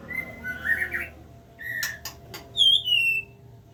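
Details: Aceh white-rumped shama parent feeding chicks in captivity: wavering high whistles and buzzy notes, followed by a loud clear whistle that glides downward.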